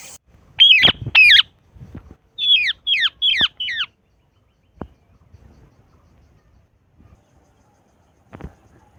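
A parakeet gives harsh, screechy squawks: two loud ones, then a quick run of four. A click and a faint call follow in quiet surroundings.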